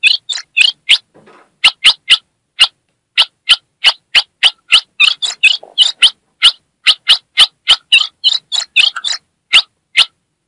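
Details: A female ultramarine grosbeak from northeastern Brazil calling and chirping: sharp, high chip notes, about two or three a second at an uneven pace, with no other sounds.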